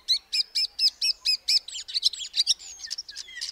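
A common starling gives a quick run of seven clipped, repeated chirps, then breaks into a jumble of high whistles, squeaks and buzzy notes.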